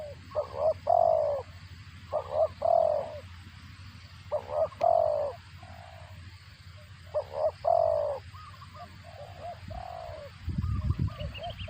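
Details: Spotted dove feeding its chicks, its call said to sound like a cricket: repeated phrases of two quick notes and a long falling coo, spaced roughly every two to three seconds, then quieter notes and a low thump near the end.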